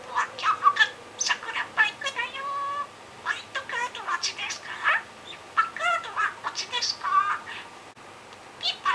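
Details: Pet budgerigar filmed 7 July 2016, talking while playing shop clerk, repeating customer-service phrases; rapid bursts of squeaky, chattering mimicked syllables with short pauses, nasal warbled tones and quick pitch jumps, indoors.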